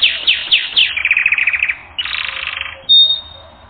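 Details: Canary in a training recording singing a few swooping notes, then a fast descending trill and a buzzy roll, closing with a short high whistle.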